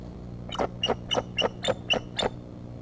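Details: Female bald eagle at the Decorah nest, 3 March 2014, calling her mate to come and take over incubating the eggs: a series of seven sharp, high chirping notes about every third of a second over steady background hum.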